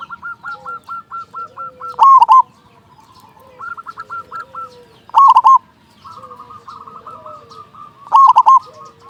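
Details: Big-voiced local zebra dove used to spur quiet doves into song. Rolling triple coos recur every three seconds, each preceded by runs of rapid, evenly spaced lighter notes from other doves.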